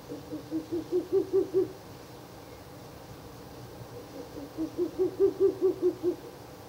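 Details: Two bursts of quick, low hoo notes, each of about seven, separated by a pause. A Ural owl is calling at night by a nest box, 16 April 2024, its third night visiting the nest.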